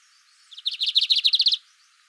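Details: Lined seedeater, known locally as bigodinho, delivers one short burst of about a dozen quick, high, clipped notes in an even, buzzy trill lasting roughly one second.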